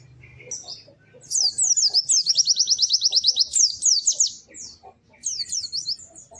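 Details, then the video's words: Lively white-eye song: a long, fast, evenly repeated high chirping trill, then a short pause and another quick twittering phrase. Faint low rustling is heard underneath. "Kicau Burung PLECI GACOR MERDU"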